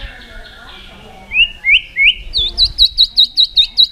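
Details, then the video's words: Contest-singing white-rumped shama, fired up, performing forest voices nonstop: three quick rising whistles, then a crisp series of high, evenly spaced notes, about four per second. "Chòe lửa hót nhiều giọng rừng đảo liên tục.chòe lửa căng lửa hót đấu đập xoay"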